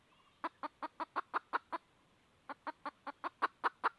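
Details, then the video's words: Red junglefowl hen calling for a rooster: a quick run of short, sharp clucks at about two or three per second, a brief pause, then another even series, over a faint steady background hiss. "suab poj qaib tsauj"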